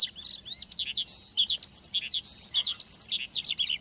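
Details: Lively male Australasian bushlark singing as a lure for other bushlarks: high, varied phrases of buzzy slurred notes and short trills, irregular in rhythm, over a quiet low hum.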